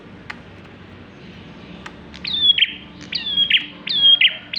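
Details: Bar-winged prinia singing, used as a lure for other birds: a series of bright, high sweeping phrases, each a level whistle ending in a sharp burst, repeated about every second over low background hum.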